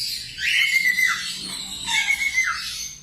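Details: Budgerigar song meant to teach cockatiels: two rough, squawky phrases, each carrying a thin level whistle that slides down at the close.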